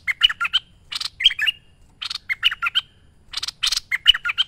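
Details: Merbah lekir bulbul master recording: three short bursts of warbled, bubbly notes, each opened by a harsh scratchy rasp, with quiet gaps between.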